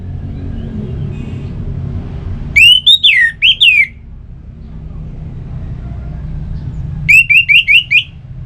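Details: Song of an Orange-headed thrush, used to prompt kept birds into song: a loud phrase of looping whistled notes, a pause with background rumble, then a quicker run of five short whistles.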